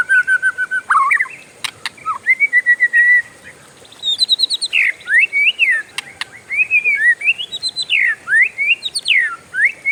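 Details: Oriental magpie-robin in a long roll of varied whistled phrases, short repeated notes alternating with looping slurred whistles, a few sharp clicks between phrases, over a constant high-pitched background hiss.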